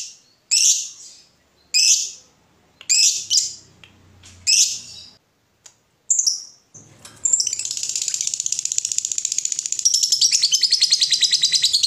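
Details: Lovebird gives several harsh screeching notes, then launches into a long, dense, rapid chattering ngekek trill meant to get other lovebirds singing.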